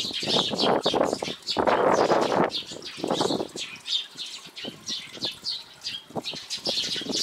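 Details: Eurasian tree sparrows at a homemade feeder on Jeju Island, recorded with a Sony X3000: rapid high chirps repeated several times a second, mixed with loud low whooshing bursts of wingbeats and feeder bustle in the first half.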